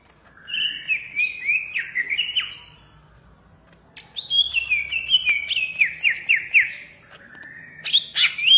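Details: Greater green leafbird from Indonesia, recorded as a master song for teaching other birds: long fluid warbled phrases of quick rising and falling whistles, with a louder, shriller flourish near the end.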